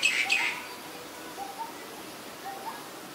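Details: Female Asian koel (Eudynamys scolopaceus), a parasitic cuckoo, calls: a quick burst of shrill, sharp notes, then a few fainter, lower whistled notes against a quiet background.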